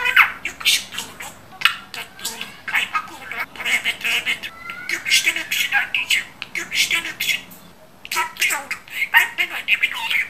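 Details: Talking pet budgerigar chattering a long run of Turkish words in quick, scratchy syllables, with thin whistled notes and squeaks woven between the phrases, one short lull near the end.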